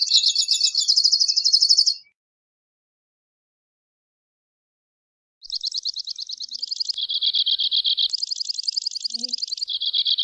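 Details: A Two-barred crossbill trill cuts off, then after a three-second gap a new song of rapid trills steps between higher and lower pitches in sections of about a second.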